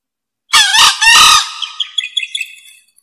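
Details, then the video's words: Green junglefowl, a rare wild fowl, recorded as a luring call: one loud, harsh crow in three quick bursts, two short hoarse notes then a longer rasping one, trailed by a string of faint, clipped chirps. "SUARA AYAM HUTAN HIJAU"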